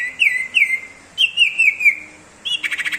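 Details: Common iora giving sirtu ngebrem song: two slurred whistles, then a quick series of three to four falling whistled notes, ending in a rapid buzzy rattle.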